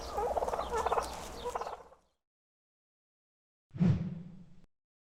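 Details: Rough, rattling turkey gobble for about two seconds, then silence, followed by a short, deep, booming burst.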